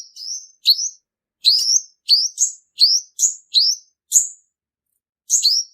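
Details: Male purple-throated sunbird giving its lure song for trapping: about ten bright, high upslurred whistles with crisp starts, spaced fairly evenly at roughly half-second intervals, then a pause before a final pair.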